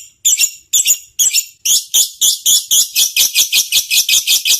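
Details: Lovebird calls used as training audio to draw a response: four harsh, scratchy chirps spaced about half a second apart, followed by a steady train of rapid, grating pulsed notes.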